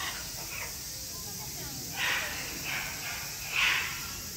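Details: Great green macaw at Chiba Zoological Park, 4 September 2022, giving three hoarse squawks a second or so apart over steady background hiss, the last the loudest.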